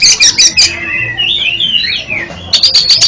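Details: Song of an oriental magpie-robin, used as therapy for a stuttering bird: four harsh rasping notes open it, a looping whistled warble follows, then another quick series of rough notes closes it.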